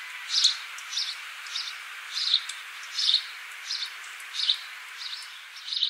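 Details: Australian house sparrow recorded on 26 December 2015, giving a steady run of short high chirps about every half second against constant background hiss.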